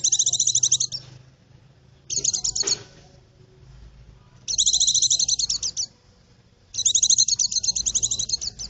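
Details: White-eye lure song for the forest: four evenly spaced bursts of fast, high, buzzy twittering notes.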